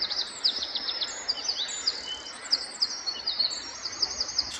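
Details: Male Eurasian wren singing its courtship song from the top of a chimney in a small French village during the breeding season, to lure females to his nest. The song is a fast stream of very high, bright trills and twitters over a steady background hiss.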